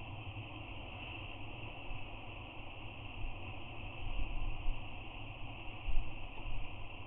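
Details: Low, continuous wind rumble and muffled background noise swell and fade on an island cliff, with no bird or other animal voices present.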